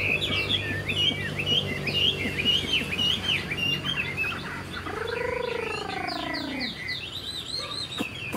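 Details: This year's young Chinese hwamei, a tail-flicking bird praised for good singing, strings together rapid clear whistled notes, broken midway by a long, lower, descending drawn-out note before the quick whistling resumes; low hum behind.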